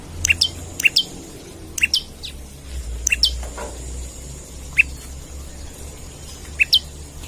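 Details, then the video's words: Olive-backed tailorbird looking for a rival, kept as bait and master audio for other birds: scattered, irregularly spaced shrill chirps, some doubled, with a thin steady high whine and low hum behind. "Prenjak Lumut Gacor Nembak Cari Lawan"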